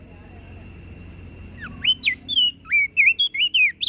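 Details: Flores crested white-eye in full song, meant to provoke any bird that hears it: after a quiet start, a rapid string of clear, high whistled notes, each sharply rising or falling, tumbling along at an uneven pace.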